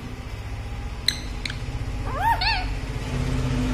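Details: A pet Indian ringneck parakeet, which the owner says keeps shouting "mummy roti de" (mummy, give bread), utters two quick, arching, speech-like mimicked syllables after a couple of sharp clicks, over a steady low indoor hum.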